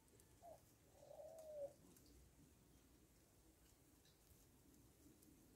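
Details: Rock dove on a farm: a brief low note, then one long, smooth, slightly wavering coo lasting under a second, followed by quiet.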